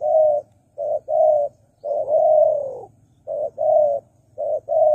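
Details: Lure call of a spotted dove for trapping wild doves, a run of deep mellow coos, short and long notes alternating, one long rolling coo in the middle, repeated roughly every second with steady low background hum.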